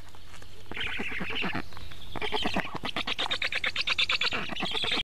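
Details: Karula, Estonia: black stork nest on a live camera, 11 July 2017 mid-morning, an adult delivering frogs to its storklets; quick rasping, quack-like pulses in dense bursts, speeding into a rapid rattling run, over a constant low hum.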